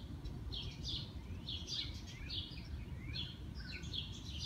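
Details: Bird singing in early morning in spring: high, thin chirps and short sweeping notes in small bursts, with a low, steady rumble of background noise throughout.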